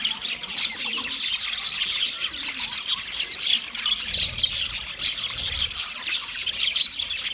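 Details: Mating budgies, white males, keep up busy high squawking and chirping, raspy warbles and squeaky whistles overlapping, with a soft low rumble midway.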